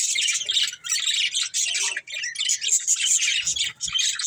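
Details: Budgerigars, a breeding pair, chattering almost without pause: dense, high, buzzy warbles and chirps running together, with brief dips in loudness.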